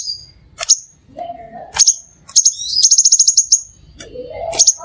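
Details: Crimson sunbird in a lure recording meant to draw other sunbirds: sharp, very high chirps, a quick run of about eight even high notes, and lower sliding whistled tones between bursts.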